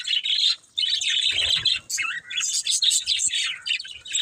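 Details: Budgies give a lively, chattering warble of high tweets and short squeaky trills, pausing once briefly near the start.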